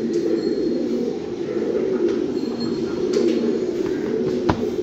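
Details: Fancy pigeons give a continuous low, rolling cooing chorus of many overlapping birds, punctuated by a few sharp knocks and clicks.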